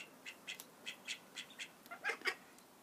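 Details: Baby call ducks peeping in short high bursts, roughly ten brief notes spread across under three seconds, the last few louder and closer together.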